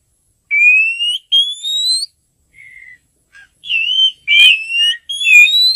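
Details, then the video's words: Male white-rumped shama singing to call a female: clear, loud whistled notes that slide upward, given in short separated phrases with brief pauses, one lower soft note in between, no other sounds. "Âm thanh Chòe hay, kích trống gọi mái"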